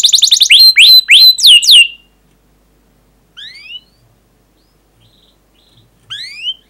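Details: Canary 'cuit cuit' song used to stimulate other canaries: a two-second burst of quick chirps and hooked whistles, then quiet with two brief rising chirp pairs.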